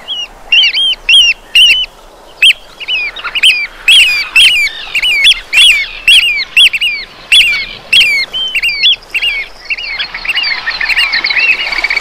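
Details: Eurasian oystercatchers on the Breton coast of France give loud, shrill piping 'kleep' notes, about two a second and overlapping from several birds, breaking into a rapid trilled chorus near the end.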